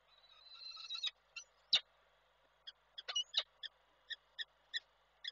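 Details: Male peregrine falcon bringing food to the nest in Koszalin, Poland, 7 April 2023, which the female refuses; a drawn-out chattering note, then short sharp chips spaced irregularly.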